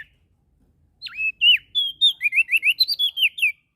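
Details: A Lombok prinia (prenjak daun), NTB, in energetic song: one swooping note, then a quick series of about a dozen bright, downslurred whistles rising and falling in pitch. There is no background noise.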